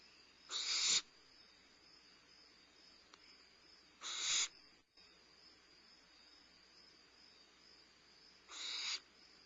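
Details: Starr Ranch barn owlet, limping, during a midnight meal on 22 May 2011; three harsh hissing screeches at irregular intervals of about four seconds, each ending sharply, over a constant low electrical hum.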